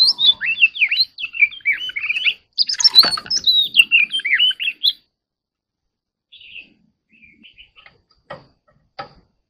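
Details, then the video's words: White-rumped shama singing in a fast, chattering warble: a dense run of varied whistled and trilled notes, rising and falling, for about five seconds, then a pause broken by a few faint notes and soft clicks. "Chòe than hót líu"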